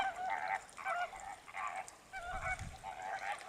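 Greater flamingos give nasal, goose-like honks in quick overlapping bursts, several birds calling together about twice a second, over a faint low rumble.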